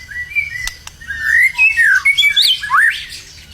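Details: Caged white-rumped shama in Indonesia, ready for a singing contest, gives a few slurred whistles that rise and fall, including a sharp upward sweep, over steady low background noise and a couple of clicks.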